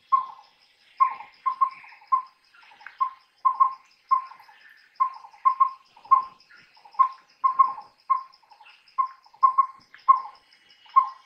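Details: A collared owlet, recorded in the daytime, gives mellow, even whistled hoots in short groups of two to four, repeated steadily, over a faint high insect whine.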